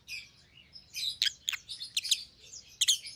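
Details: Pet rosy-faced lovebirds, white-headed green opaline and pallid opaline, make shrill overlapping chirps and squeaky chatter, with loud clicking peaks roughly every half second and a steady low hum beneath.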